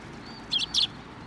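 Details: Sparrows flying in to take food from a post at a Tenmangu shrine on 25 April 2024: two short, bright chirps in quick succession, high-pitched and clipped, over a quiet background hum.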